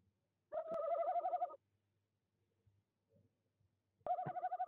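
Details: Visiting tawny owl, nest box 1, De Mortel, winter evening, breeding season: a one-second quavering hoot, soft scuffling in between, then another pulsing tremulous note begins.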